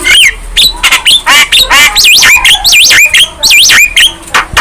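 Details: Young Javan myna singing vigorously while nodding, its song said to make other birds aggressive. Scratchy squawks lead into a string of rising-and-falling whistled loops repeated about six times.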